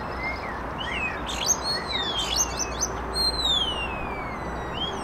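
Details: Singing starlings, described as a trio, deliver long drawn-out whistles that slide downward, mixed with short buzzy clicks and chirps, against a constant low hum.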